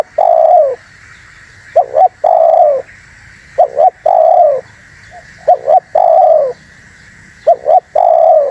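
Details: Spotted dove on a bird-luring recording, singing actively: four phrases in sequence, each made of a clipped double hoot and a long, smooth, downward-sliding coo, spaced about two seconds apart, over steady background hiss.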